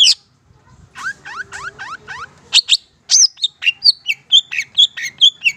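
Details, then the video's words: Madura Long-tailed Shrike in lively song, recorded for training other birds: a series of five quick down-slurred buzzy notes, then a rapid string of sharp high chirps and clipped whistles repeated about twice a second. "Masteran Suara Cendet Pentet Madura GACOR Cocok Untuk Pancingan"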